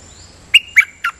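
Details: Dok Taeng bird, double-note (lak boen) song style, uttering three rapid, sharp descending chirps in half a second.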